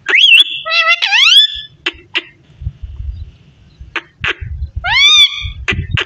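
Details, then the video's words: Talking parrot opens with squeaky warbling and a bright rising, gliding whistle, then clipped clicks and raspy syllables, ending with another strong upswept whistle amid low background rumble. "So sweet parrot talking"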